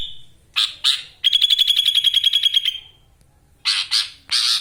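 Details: Caged sooty-headed bulbul from Wonosalam, East Java, singing with lovebird ngekek fills: short harsh notes, then a fast even trill of about twenty high pulses over roughly one and a half seconds, a silence, and further scratchy bursts.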